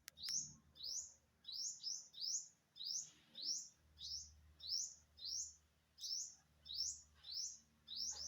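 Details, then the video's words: Unknown bird recorded September 27, 2022, calling steadily: short high upslurred notes repeated roughly every 0.6 seconds, occasionally paired, with a brief click near the start and low hum underneath. "Successfully Recorded the Bird Sound"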